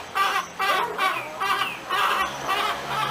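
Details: Hen cackling: a run of loud, harsh, harmonic bursts, each about a third of a second long, repeated roughly twice a second with uneven spacing. A low background rumble runs throughout.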